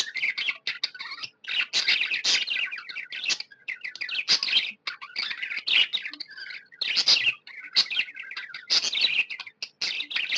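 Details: Pet budgerigars described as happy, chirping in a dense, continuous chatter of bright, scratchy notes and short warbles, with several birds overlapping in a quiet room.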